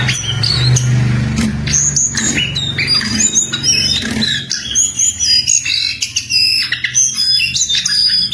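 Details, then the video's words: Jongkangan singing actively in the wild: quick squeaky chirps and thin high whistles repeated in short bursts, over low rumbling background noise at the start. "Burung Jongkangan Gacor"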